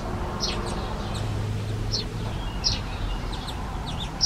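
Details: European greenfinch young accompanied by both parents, begging with loud carrying calls. Sparse, sharp, high chirps spaced irregularly about every half second to second, a few faint higher notes, and a low hum underneath.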